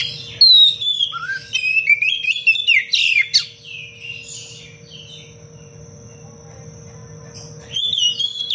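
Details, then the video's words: Oriental magpie-robin in a lively, densely packed song meant as a master recording for teaching other birds: varied whistles and rapid chattering trills, a long steady high whistle in the middle, then a return of quick phrases. "Kacer gacor cengkok rapat pedas untuk masteran"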